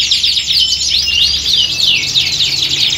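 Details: Canary chorus of the kind used to toughen a bird for singing contests. Fast, layered high trills and swooping whistled notes rise and fall continuously over a soft low hum.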